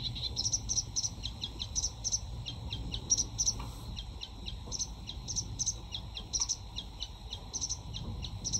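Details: A sedge warbler, a UK summer breeding visitor, sings a long stream of short, high clicking and chirping notes in quick irregular succession, with scattered sharper accents over a low ambient hum.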